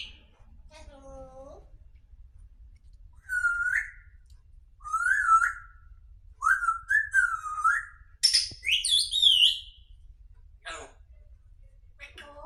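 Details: Grey parrot talking in a sweet voice indoors: clear whistled notes, some rising and some wavering, in short phrases, then a sharp high squawk near the end and a thin rising whistle after it.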